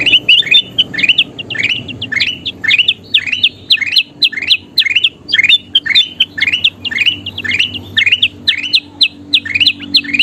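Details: Kutilang emas (bulbul) in long, lively song for training birds: steady stream of bright upward-slurred whistles, several per second, with clipped high accents throughout.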